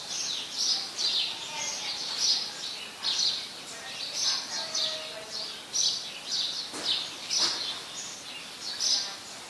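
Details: Repeated bright chirping of house sparrows, a very common resident species, in Ubon Ratchathani, Thailand, on 5 February 2020; short high notes come in quick bunches about once a second, with a few lower faint sounds beneath.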